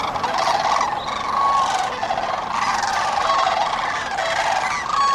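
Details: Dense dawn chorus of sandhill cranes by the Cosumnes River, with overlapping rolling, rattled calls merging into a near-continuous throaty roar, a few clearer bugles surfacing every couple of seconds.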